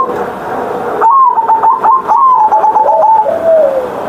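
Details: Zebra dove kept in a cage, singing in the morning with a big ngerot voice: one long phrase of quick pulsed coos, slightly wavering, sliding downward at the close after a muffled start.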